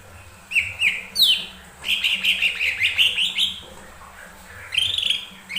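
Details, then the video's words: Lure song of a lesser green leafbird for provoking other birds into singing. Sharp upward-sweeping whistles lead into a dense, rapid warbled run, then a pause and a final burst of rising notes. "Pancingan burung cucak ijo mini"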